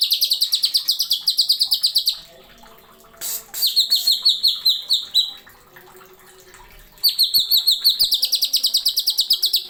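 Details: Greater green leafbird (cucak ijo) masteran song with long fast trains of sharp, ringing whistles, about three per second, broken by a harsh rasp and a shorter whistled series mid-way.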